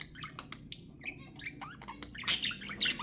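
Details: Budgerigar calls to encourage mating: scattered short chirps and clicks building to a loud harsh squawk burst near the end.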